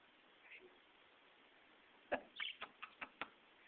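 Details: A female budgerigar, the dominant one of two new pet parakeets, gives a quick run of six harsh, scratchy chirps in about a second after a faint earlier chirp, while pecking and fighting her companion over a perch; a person's voice is heard too.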